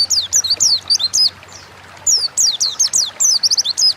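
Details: Oriental white-eye, a pet songbird, giving its wild-style lure song: bursts of very high, sharp, downslurred chirps in quick runs, broken by a short quiet gap, over a low steady hum.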